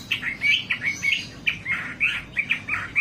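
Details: Wambi singing for a lure track meant to spur kept birds into song: short, sharp, rising chirps in quick uneven bursts, several per second.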